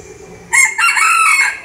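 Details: Bantam rooster mid-crow, a loud harsh burst rising into ragged, wavering tones after a moment of low background hum.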